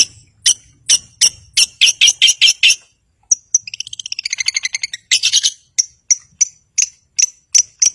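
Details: Long-tailed shrike singing vigorously to provoke rivals and silent birds: a steady series of sharp scratchy notes, a rapid rising-and-falling trill, then harsh bursts and evenly spaced high whistled chips.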